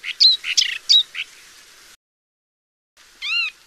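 A paddyfield warbler gives a quick burst of high, varied chattering notes with clear whistled inflections. After a short silence comes a single arched, nasal note.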